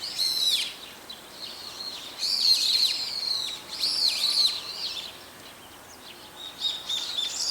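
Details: Brown-eared bulbuls, several birds calling in daytime with about four call types: harsh, screechy notes sliding up and down, delivered in three loud bursts followed by quieter calls toward the end.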